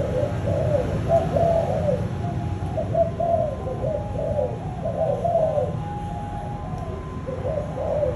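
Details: Spotted dove, a bird bred in the 'thúc gù' cooing line, coos in uneven bursts of mellow, low, rolling notes, about three a second, with a droning background hum.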